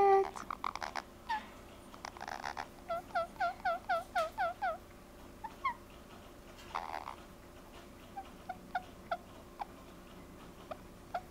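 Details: A pet rose-ringed parakeet twittering while being caressed gives short, rising chirps, a quick run of about four a second, then scattered single notes, with a few soft rustles.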